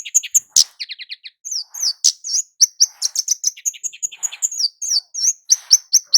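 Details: Flowerpecker called kemade jawa, used as a lure for males and females: opens with quick buzzy trill notes, then a steady stream of bright, high-pitched slurred chirps and ticks.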